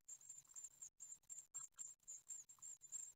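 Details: Ninth-day great tit nestlings at an Ostwald nest, 15 June 2020, beg during feeding. Shrill high peeps come in rapid, uneven runs, roughly four per second, with brief pauses between the runs.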